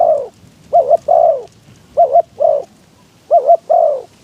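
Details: Caged spotted dove used as a decoy to lure wild doves: low, hollow coos in repeated phrases, a quick doubled note followed by a longer drawn coo, with phrases about a second apart.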